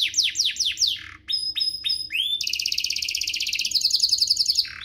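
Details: Song of a domestic canary intended to teach young birds: quick descending sweeps, a few clear high pure tones with rising slurs, then a long rapid buzzy trill shifting higher, over faint background hum.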